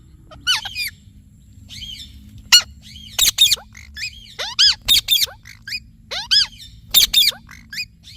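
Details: Steady irregular series of shrill, scratchy squawks from a talking Indian ringneck parrot. Each is often followed by a falling whistled chirp, with soft chatter between the louder calls.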